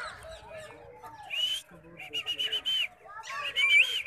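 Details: Talking Indian ringneck parrot gives bright, high whistled syllables in quick groups, with low murmured speech-like sounds in the background.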